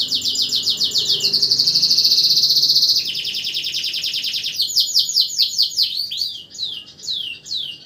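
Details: Tutor canary singing at night: a rapid trill leads into a long, even buzzing roll, followed by a pulsing trill and scattered quick swept notes.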